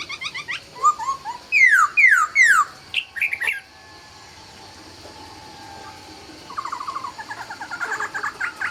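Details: At dawn a laughingthrush sings short notes, then three loud sweeping downward whistles, falls silent, and ends with soft chattering.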